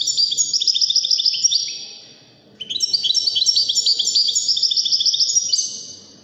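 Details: Moroccan 'wadiani' European goldfinch in full song: bright, rapid tinkling twitters and high chirps in a dense run, fading out briefly near the middle before resuming, over a soft low rumble.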